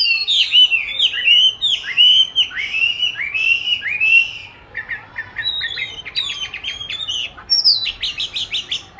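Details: Caged oriental magpie-robin hung up for training its song, pouring out rich downslurred whistles followed by rapid series of short clipped chirps and higher whistled notes, with constant low background noise.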